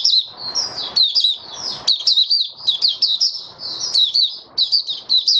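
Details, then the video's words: White-eye dated 08-01-2022 singing an opening song while getting back into form: continuous high, lively twittering of slurred and sharp chirps, with soft background noise between notes. "Mata Puteh Raja Stablizing his form buka sing 08012022"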